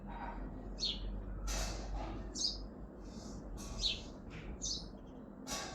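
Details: Sparrow on a balcony in Hazaribagh, India, giving faint, high chirps spaced irregularly, partly masked by broad hissing noise bursts and a constant low hum.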